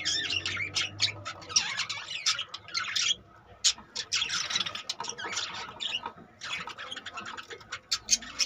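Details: Captive budgerigar colony with 25 newborn chicks; continuous chattering of many birds, with scratchy warbles and sharp chirps coming in surges and separated by brief quieter gaps.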